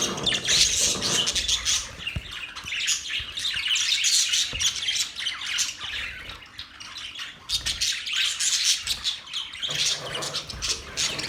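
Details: Continuous parrot chatter, rough chirps and squawks packed several per second, rising and falling in intensity with occasional sharp clicks throughout.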